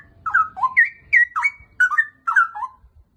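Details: Straw-headed bulbul (cucak rowo) singing loud, rich whistled phrases that jump up and down in quick bubbling notes, four short bursts over about three seconds, with faint low rumble beneath.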